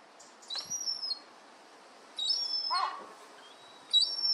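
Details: Juvenile herring gulls that have left the nest, playing in a garden. Three thin, high whistles slide slightly downward, with a short rough burst after the second one.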